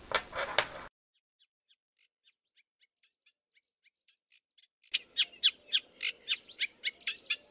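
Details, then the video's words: Sedge warbler song recorded in spring with a homemade parabolic microphone: soft, quick ticking notes bursting into loud, fast, scratchy chattering phrases, with a rough noise at the start and a low rumble underneath. "Chant Phragmite des joncs"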